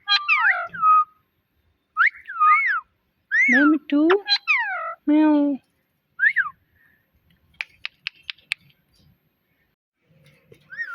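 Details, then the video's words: Pet talking parrot mimicking words: clear, rising-and-falling whistled syllables and deeper, speech-like voiced phrases, followed by a few sharp clicks and a quiet pause. "Cute Talking Parrot"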